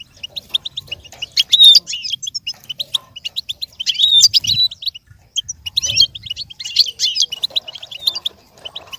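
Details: Lively goldfinch song, used to train another goldfinch to imitate, with long bursts of rapid tinkling chirps alternating with buzzy, slurred phrases and short gaps, repeated several times.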